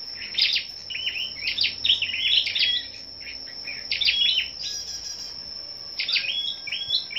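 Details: Scarlet-backed flowerpeckers brought together for a morning singing contest on 10 May pour out rapid high chips and short slurred twitters, with a brief pause midway. A steady high-pitched whine hangs in the background.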